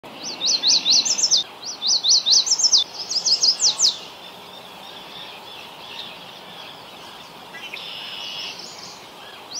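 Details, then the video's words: Yellow warbler, a songbird of Ontario, Canada, singing two bright, high, rapid phrases of quick up-and-down sweeping notes, then quieter background with faint distant bird calls. "Lovely Yellow Warbler Bird Singing. Warbler Bird Song."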